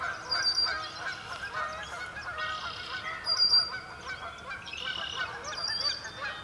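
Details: Flock of sandhill cranes (Antigone canadensis) at a marsh during a cloudy sunrise, giving overlapping rolling, trumpeting calls in a continuous chorus, with higher chattering bursts every couple of seconds.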